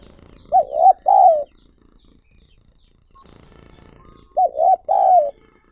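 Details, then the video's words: Lure recording of a spotted dove: two cooing phrases about four seconds apart, each a quick double-humped coo followed by a longer falling note, with faint background rustle. "Chim Cu Gáy Mồi Gáy Gọi Thúc Kích Bổi Mới"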